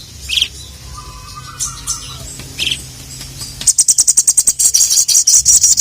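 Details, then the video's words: Sparse thin high chirps give way to a sustained fast buzzing trill as a ruby-cheeked sunbird calls out to provoke rivals; a soft low hum runs underneath. "SOGON GACOR MEMANGGIL LAWAN, BIKIN BURUNG SOGON SIAPAPUN LANGSUNG NYAUT DAN EMOSI"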